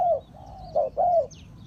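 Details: Trapping decoy spotted dove calling: a drawn coo fading downward, a soft continuing hum, then a brief note and a longer arched croo; a faint high chirp overhead.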